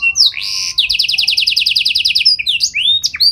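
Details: Canary singing with special melodic turns intended to make other canaries answer; a brief buzz, then a long run of evenly pulsed high notes, closing with quick rising and falling whistles.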